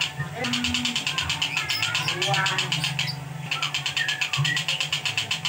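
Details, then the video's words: A long-tailed shrike pours out a fast, tight chatter of harsh notes, about eight per second, mixed with brief whistles, over a low hum and faint voices. "Burung Tengkek Buto spit rapett"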